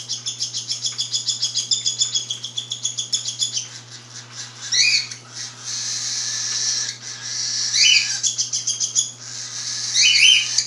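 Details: A 5-week-old albino cockatiel chick throws a begging tantrum while its mother feeds it and the anxious father moves about behind: rapid, rasping high chirps turning into harsh, insistent screeching.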